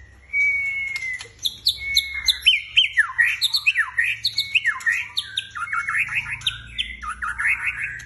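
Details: Female white-rumped shama, a 'murai panda' described as a fighter whose song fires up other birds, delivers a fast, varied run of clear whistled and slurred notes, rising and falling, with a long steady whistle near the start and constant quick phrases.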